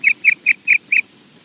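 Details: An osprey called EJ at RSPB Loch Garten in Scotland gives five quick, high, whistled squeals, about five per second, over a faint low background rumble.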